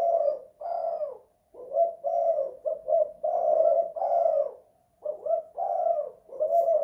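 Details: Indoors, a spotted dove gives repeated 'kuk 2 / guk 1' coo phrases: rich, low, slightly rasping notes run together in sets, separated by brief pauses in a quiet room.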